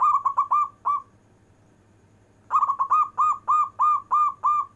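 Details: Local zebra dove in long-breath cooing style, used to call lazy zebra doves: quick bursts of rounded, mid-pitched coos, a short phrase then a pause of over a second, then a longer run of evenly spaced notes.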